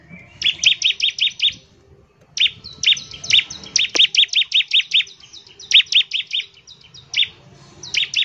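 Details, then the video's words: Bar-winged prinia delivering rapid 'nembak ngebren' song to prompt other prinias: long runs of evenly spaced piercing chips, one near-continuous volley of about a dozen notes, faint thin tone underneath. "CIBLEK GACOR, NEMBAK NGEBREN UNTUK MEMANGGIL CIBLEK CEPAT BUNYI GACOR"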